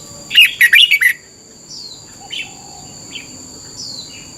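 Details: Red-whiskered bulbul in Thailand, recorded as morning training for young birds: a single rich phrase of five quick warbled notes, followed by scattered faint chirps and a constant high electronic whine.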